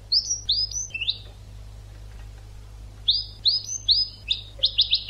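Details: European goldfinch song from an educational tutor recording for training birds: bursts of bright, quick, downslurred twittering notes, a pause of about two seconds, then a faster run ending in rapid repeated chips, over a low steady hum.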